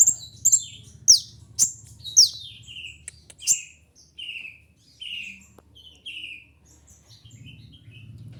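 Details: Sunbird called kolibri ninja: high chips and falling slurs at first, then a slower series of lower buzzy descending notes about once a second, fading toward the end.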